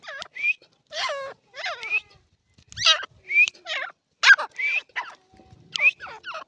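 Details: Calls of an Irani partridge: a string of clear notes falling in pitch, often led by a short upward whistle, repeated in quick bursts with brief pauses.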